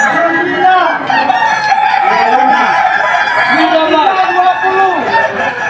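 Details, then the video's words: Kukuak Balenggek chickens performing in the 2025 Boko-class contest final in Sawahlunto, West Sumatra; drawn-out crows hold flat tones, then break into stepped, falling phrases, with several birds overlapping and people talking in the background. "Ayam kukuak balenggek terbaik tampil di final klas boko di Sawahlunto"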